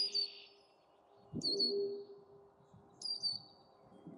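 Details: Canada goose goslings with their family, outdoors: high, thin whistled peeps sliding downward, three spaced about every one and a half seconds, with a low steady hum and soft rustling underneath.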